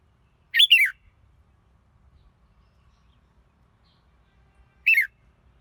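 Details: Two brief warbled phrases from a red-whiskered bulbul, about four seconds apart, each a quick bubbling note pair, with silence in between.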